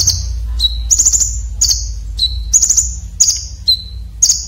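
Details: Red-breasted Konin singing a rough, sharp fill-in style used as a tutor song for competition birds: high thin whistles alternating with buzzy, stuttered trills, repeated roughly every half second over low rumbling noise.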